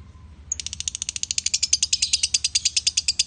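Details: After a brief faint low tone, a male and female lovebird break into a steady stream of shrill, fast pulsed chirps, around seven a second, getting louder.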